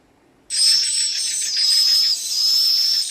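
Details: Swiftlet chicks mixed with adult swiftlets: after silence, a sudden, continuous wash of very high, rapid, buzzy chirps and twitters, dense and unbroken, with a thin steady whistle-like tone running through.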